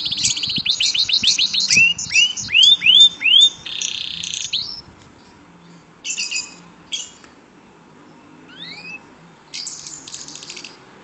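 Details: A caged canary sings prolifically, a lively run of high trills, rising whistled slurs and buzzy rolls.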